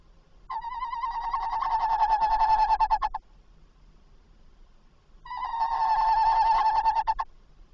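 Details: Tawny owl calling as it visits and enters a nest box at 21:45 on 27 August 2024, then leaves soon after. Two long, tremulous, wavering hoots about two and a half seconds each, separated by a pause, over quiet background.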